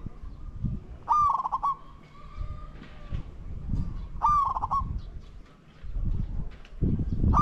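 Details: Cooing of a spotted dove during decoy luring of wild doves: two loud, bright phrases, each a sharp falling note run into a short stuttered roll, between stretches of low thumping and rustling noise.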